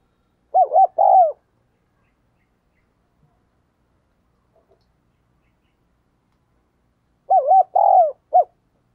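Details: Spotted dove used as a decoy, cooing at a fast pace to call wild doves; two four-note coo phrases of short arched notes followed by a longer falling coo, separated by about six seconds of silence.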